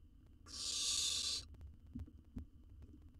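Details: Wild owl nestling in a research nest box, swallowing a jird whole. It gives one loud, rasping, breathy hiss lasting about a second, followed by faint shuffling and knocking sounds in the box.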